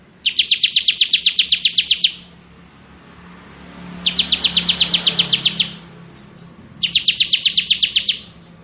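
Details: Crystal-type bar-winged prinia in ngebren song: three long bursts of rapid, ringing high chips at a steady rate, separated by pauses of about two seconds, with a low rumble behind.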